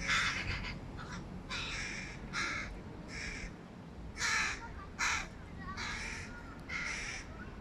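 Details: Young hooded crow, one of three fledglings, calling loudly from a tree near its mother as the father feeds another youngster fish; rasping, strained caws come in uneven bursts, some longer and louder, against steady low noise.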